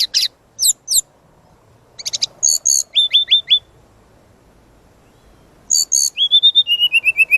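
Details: Lure and master song of a vigorously singing brown-chested jungle flycatcher, rich in varied phrases: sharp descending strokes, a group of falling whistles, silence, then bursts of chips, a trill and a descending series of soft whistles.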